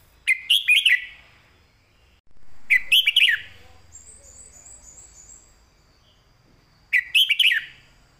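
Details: Red-whiskered bulbul delivering clear master-song phrases: three loud bursts of rapid, rich whistled notes spaced a few seconds apart, with a thin high twittering series and a faint steady high tone in between.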